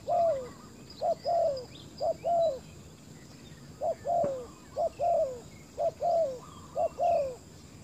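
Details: Spotted dove calling as a decoy on a ground clearing to attract fierce wild doves, with steady rhythmic pairs of coos, a short note then a longer downslurred one, about one pair per second; faint chirps of other birds above.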